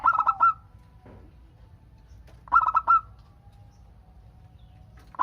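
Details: Local Indonesian zebra dove song used to coax other doves into answering; three bursts of fast, rolling coo notes about two and a half seconds apart, separated by near-silence and a faint steady tone.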